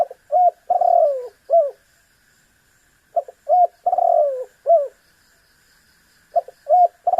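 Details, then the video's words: Tekukur (spotted dove) calling so that a rival bird will answer: repeated phrases of short notes, a long falling coo and a short end note, about every three seconds, with a faint hum. "100% AMPUH MEMAKSA LAWAN AGAR BUNYI_SUARA BURUNG TEKUKUR GACOR"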